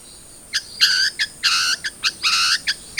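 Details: Long-tailed shrike, a cendet trotol, sounds used as a lure to get a captive bird singing quickly: harsh, buzzy notes with strong overtones in short bursts and longer rasping phrases, separated by brief gaps.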